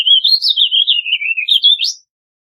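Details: One continuous two-second warble of a Warbling vireo: a tumbling stream of slurred notes that wander down, then end on a sharp upward flourish.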